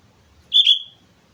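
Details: Sooty-headed bulbul from Mount Slamet, singing in energetic 'gacor' fashion, gives a single loud, slurred whistled note that dips slightly and then fades.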